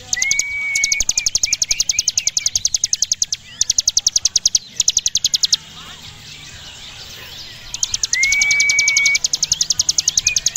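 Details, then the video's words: Javan prinia (ciblek gunung) delivering its long ngebren song, high and low, for tutoring contest birds: repeated bursts of very fast high clicking separated by pauses, each burst opened by a level whistle. "Ciblek gunung gacor ngebren atas bawah mental juara"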